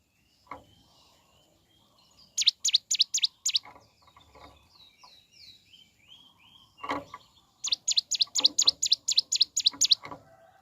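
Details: Mountain leaf warbler (ciblek gunung) singing in the morning: a bright, rapid series of high ticking notes, a pause with softer buzzy notes and a low knock, then another quick run of high repeated notes.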